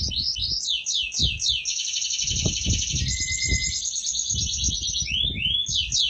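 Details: Competition-winning canary in energetic song: swooping downward slurs open into a long fast high trill, a short lower whistle, then more swooping notes, over low background thuds and rumble.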